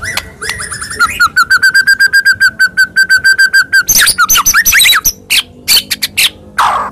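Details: White-rumped shama lure to set a quiet shama singing: a steady, rapid rattle of one repeated whistled note for about three seconds, then varied harsh, fast phrases and scattered loud notes.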